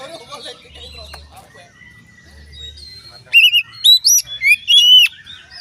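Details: Oriental magpie-robin singing to set off other magpie-robins, quiet thin notes and faint low hum before a loud two-second run of bright, rising whistled slurs.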